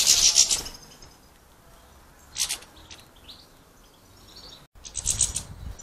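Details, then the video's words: European goldfinches fighting over a sunflower-heart bird feeder in an Irish village give harsh, high, scratchy bursts of squabbling calls, with a few thin twitters between them and a quiet background. "Grumpy, greedy European Goldfinches squabbling around a bird feeder"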